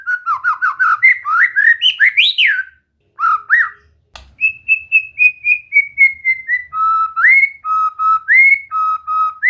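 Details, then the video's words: Training song of a white-rumped shama meant to make a bird sing: a quick warbled series of rising and falling whistles, a brief gap, then evenly spaced pure whistles stepping slowly downward, then paired notes. "Latihan santai untuk murai batu AGAR MAU BUNYI dan GACOR"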